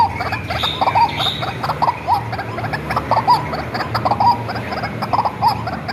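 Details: Hand-raised white-breasted waterhen giving its lure call: rough, pulsing croaks about once a second, a couple of higher whistled notes at the start, low droning background.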